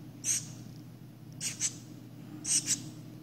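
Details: Shiny cowbird nestling, parasitized by 27 Philornis larvae, being hand-cared for: three short bursts of very high, hissy squeaks, each with two quick pulses, over a steady low hum.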